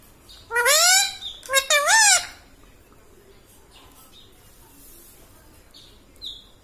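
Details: Two loud, rapid, wavering speech-like phrases from a talking parrot imitating human words, then several seconds of near-silence with faint ticks.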